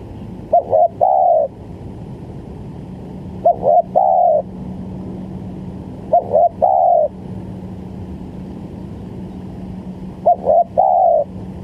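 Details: Trapping lure of spotted dove calls: four phrases spaced about three seconds apart, each stuttered short notes followed by a longer, slightly falling coo; a steady low hum runs throughout.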